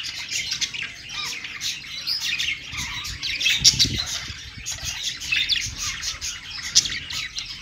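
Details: Budgies singing together on a perch: a continuous bright warbling chatter of rapid chirps and squeaks, with a few sharp accented notes standing out.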